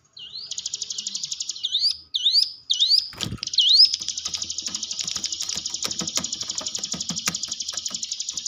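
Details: Hill prinia song used as a lure to coax quiet caged birds into singing: a few sharp upslurred whistles over a dense, fast buzzy trill. A loud click breaks in midway, then the rattling trill runs on steadily.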